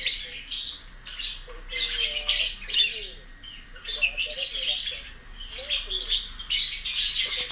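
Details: Pet lovebird searching for its companions, giving bursts of shrill, raspy squawks and chatter in repeated phrases of about a second, separated by brief pauses, indoors.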